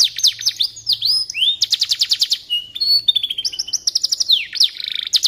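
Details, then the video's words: Canary in full song, intended as a model for white-rumped shamas: downward-swooping whistles, quick rattles and rising slurs, changing pattern roughly every half second, with a faint low hum beneath. "Suara Burung Kenari"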